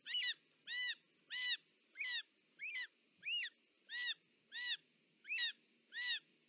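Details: Short-toed snake eagle at its nest in Parc Natural dels Ports, Catalonia, 18 July 2024, as the female arrives delivering a snake. Ten clear, arched, ringing call notes, about one every 0.65 seconds, over a steady high hum.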